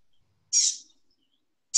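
A Gray Catbird gives one harsh, slurred, high mew lasting about a third of a second, the cat-like note behind its name. A second call begins at the very end.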